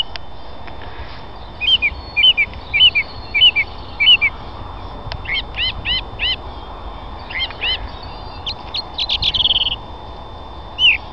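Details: Young song thrush being handled during bird ringing sings clear, fluty phrases, each repeated several times: one short note five times in a row, then other brief phrases three or four times each.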